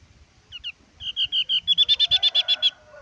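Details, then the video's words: Javan grey-throated white-eye, locally called opior jawa or cak jempol, singing: a few soft high notes, then a quickening series of about a dozen sharp, evenly spaced, high chipping notes with faint lower warbling. "Suara asli burung opior jawa/ cak jempol"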